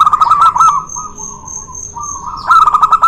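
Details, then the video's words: Zebra doves, local and white, duelling as a lure for doves reluctant to sing: quick, evenly pulsed coo notes at start and end, with a softer drawn-out rolling note between and a thin steady high tone. "PANCINGAN BURUNG PERKUTUT MALES BUNYI..DUEL MAUT LOKAL VS PERKUTUT PUTIH"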